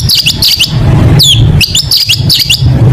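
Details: Long-tailed shrike singing in a tutoring recording for competition birds: bright, sharply rising and falling whistled notes, given in quick pairs with short gaps, over a steady low rumbling hum.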